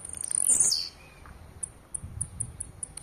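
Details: A single rasping, very high phrase sliding downward from a blue-black grassquit singing aggressively, then a faint low whistle and a run of spaced, sharp high clicks.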